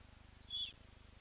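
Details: Blacksmith lapwing site with leucistic chicks hatched in the past day, on a webcam stream: one thin, level high whistle lasting about a quarter second, set against a pulsing low hum.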